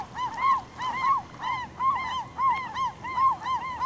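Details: Glaucous-winged gull at Campbell River, BC, in April 2007, while slowly swallowing a starfish, gives harsh, nasal, rising-then-falling notes in quick clusters of two or three, repeating steadily with little else heard.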